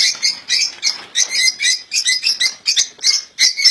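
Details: European goldfinch kept in a cage, delivering a continuous run of rapid high twittering, tinkling notes with a rhythmic, bouncy pattern of about four notes per second.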